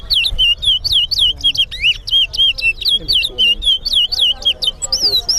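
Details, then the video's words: Sheriff Street bird ground, Guyana: a towa towa in a singing competition repeats bright looping whistles rapidly and evenly, around four notes each second, loud and clean over faint background chatter. "BIRD AND THE RESTLESS TOWA TOWA BIRD COMPETITION AT SHERIFF STREET BIRD GROUND"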